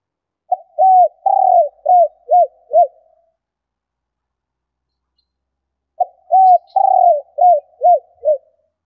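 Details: Female spotted dove giving its enticing coo to stimulate males. Two matching phrases about five seconds apart, each a short note, a rolled quavering coo and three falling hoots. The setting is otherwise silent.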